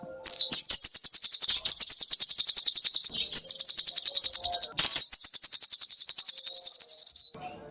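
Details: Lively song of a sogoh ontong songbird for songbird training: two long, high, rapid trills of fast repeated notes, each lasting several seconds with a brief break between them.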